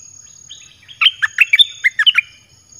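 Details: Caged red-whiskered bulbul singing one of a varied set of song phrases used to draw in wild birds: a quick run of about nine bright, liquid, warbled notes, rising and falling, over a faint steady high hum.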